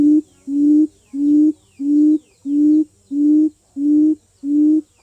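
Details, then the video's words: Quail lure call: a low, hollow hooting note repeated steadily about every two-thirds of a second, each note even in pitch and cleanly separated, with no other sounds. "Tiếng Chim Cút Mồi Kêu Chuẩn"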